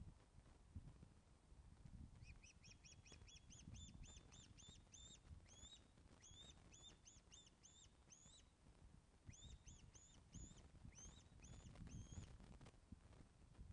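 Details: Ospreys at the Loch of the Lowes nest, Scotland, filmed by webcam on 24 August 2012 at 14:10 during a fish delivery; long runs of rapid, whistled, upslurred piping notes, some slowing into separate cheeps, over steady low rumble.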